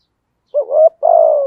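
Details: Spotted dove decoy cooing in the 'thổ' style, persistent calling intended to make wild doves answer. One phrase: a quick rising note, a brief gap, then a long steady coo that slowly drops.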